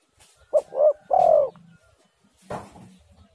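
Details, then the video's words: Lure recording of a spotted dove meant to get other doves calling: one clear coo phrase of a short note, a rounded note and a long, slightly falling final note, then a rustling burst and faint low background noise. "tekukur super gacor suara ini paling di sukai semua burung"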